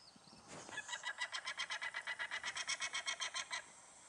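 Peregrine falcon: a rapid series of about twenty harsh, grating notes, roughly seven a second, held at an even pitch for under three seconds, after a brief rustle.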